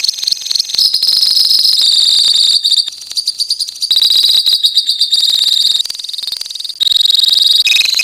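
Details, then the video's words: A lovebird colony giving the long ngekek song, a nonstop shrill, buzzy chatter of fast repeated notes with short dips in loudness, running the whole stretch. "KICAU LOVEBIRD KOLONI INI TERBUKTI HANYA BUTUH WAKTU 4 MENIT SAJA LANGSUNG NGEKEK"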